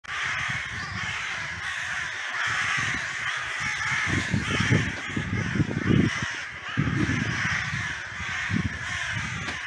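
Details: Crows in a cemetery mobbing an intruding buzzard that had grabbed one of them days earlier, wrestling it to the ground: a dense, continuous chorus of harsh, overlapping caws, with heavy low rumbling wind or handling noise throughout.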